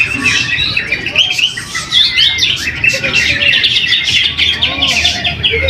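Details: Greater green leafbird winning first place at a weekly practice singing contest in Jatisumber, Trowulan, Mojokerto, Indonesia. Dense, fast, high warbled phrases with chirps and trills run without pause, and other contest birds and low voices sound beneath.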